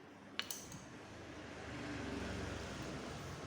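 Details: A sharp click near the start, then a steady low hum of room or machine noise, with no animal voice.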